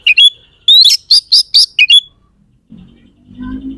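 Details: An oriental magpie-robin in full, lively song gives high whistled notes, then a fast run of about six loud, ringing, even syllables, and ends on a rising whistle. A low rumbling noise follows at the end.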